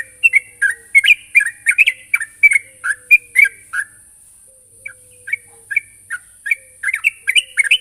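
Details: Sooty-headed bulbul call used to lure a rival, made of rapid bubbly chirps and short whistled notes in dense runs, a brief lull midway, then renewed chirping; faint low hum and steady hiss behind.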